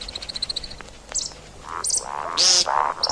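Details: See-see partridge, played for hunting: begins with a rapid series of thin, high ticking notes, then gives way to gruff nasal calls and a loud harsh screech.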